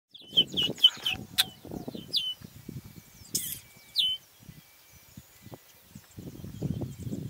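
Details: Chestnut-capped blackbird giving a quick burst of sharp, high chirps in the first second, then scattered single clipped notes, with low rumbling wind or handling noise throughout.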